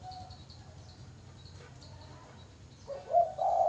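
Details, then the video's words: Spotted dove cooing: faint thin notes at first, then a loud, husky two-part coo phrase at the close, with steady low hum behind. "burung terkuku manggung"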